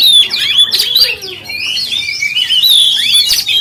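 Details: Oriental magpie-robin song used to provoke other magpie-robins, loud sharp chirps and scratchy notes followed by long clear gliding whistles, varied and rapid.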